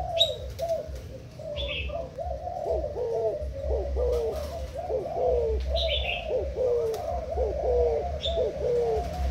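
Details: Thai-type spotted dove decoy bird, recorded 10/04/18, giving dense, overlapping low coos that bend up and down, some doubled, about one a second, with brief high chirps from another bird and a low background rumble.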